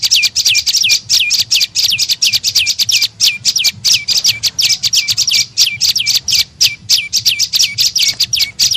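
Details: Prenjak lumut, or tailorbird, lure sound to attract birds: a long, steady stream of bright, high notes, each falling steeply then flattening, repeated rapidly with short breaks between runs.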